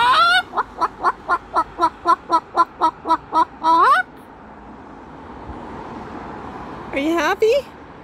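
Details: Moluccan cockatoo yelling at a magpie that landed on the roof, raising the alarm: a fast series of about a dozen loud, harsh, evenly spaced bok-like squawks, ending in rising screeches, then quiet room noise and another short squawking burst.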